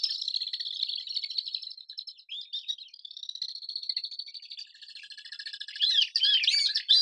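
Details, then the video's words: Swifts give shrill, buzzy, high-pitched screams in a near-continuous rapid chatter, with sharper rising notes breaking through toward the end. "SWIFT SOUND - SWIFT SOUND EFFECT - SOUND OF SWIFT - NOISE OF SWIFT"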